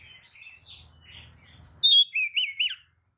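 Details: Oriental magpie-robin provoking song: soft muffled notes over low hum, then one loud pure whistle followed by three looping, rolling whistled phrases, then silence.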